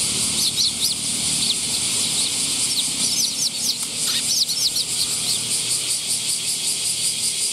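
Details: Young sparrow recorded on 5 August 2021. It gives short, high, sharp chirps in small clusters, with a steady loud insect drone throughout.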